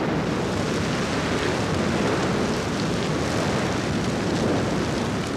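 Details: Heavy steady rumbling noise, like a rainstorm or strong wind, covers everything, with no animal voices.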